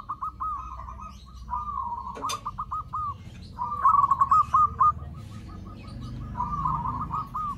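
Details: Zebra dove used as a lure for other zebra doves, giving strings of fast staccato notes broken by rolling, tremulous coos, phrases following one another closely, over a faint low background rumble.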